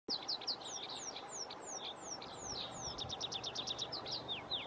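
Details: Tree pipit singing: a series of high, thin downslurred notes repeated in quick succession, then a fast burst of sharp, clipped notes, ending with more descending slurs over steady background hiss.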